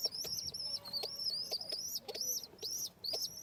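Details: Young home pigeons being fed squeal in thin, high, slightly quavering notes, each rising then falling, repeated steadily at roughly two per second.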